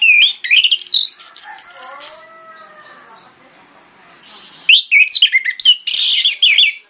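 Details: Orange-headed thrush singing in the morning, used to lure other thrushes into answering: loud, varied whistled and chirpy notes in quick bursts, a pause of about two and a half seconds, then another rapid run of high, sharp phrases.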